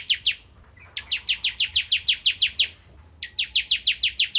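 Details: Crystal prinia in full, active song, recorded as tutor material for white-rumped shamas: a brief pair of notes, then two runs of quick, bright, identical chips repeated at a steady fast pace.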